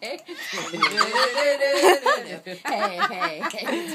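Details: Julius, a pet cockatoo, imitates his owner's mother's laugh: a run of human-like laughter, bursts of rising and falling cackles, with a voice that sounds like human speech mixed in.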